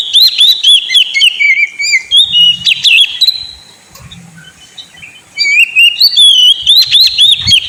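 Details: Kacer, or Oriental magpie-robin, a caged bird, in a lure song for a sulking bird: varied looping whistles and crisp chirps, a pause in the middle, then a fresh burst of rapid rising and falling whistles.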